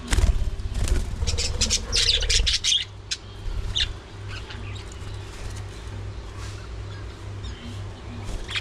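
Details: Budgerigars at early morning feeding time, giving a dense spell of quick, squeaky chirps and warbled chatter with fluttering in the first few seconds, then scattered single chirps fading against a low hum.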